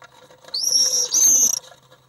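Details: Common swifts fighting inside an occupied nest box in July, an intruder clashing with the resident pair: a loud, shrill, high-pitched scream lasting about one second, with a brief break and then a second scream.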